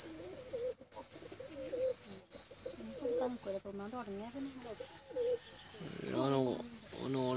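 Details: Pigeon chicks crying for food: a thin, high, steady squeal held almost without break, stopping briefly a few times, with lower wavering voice-like sounds underneath and a louder burst near the end.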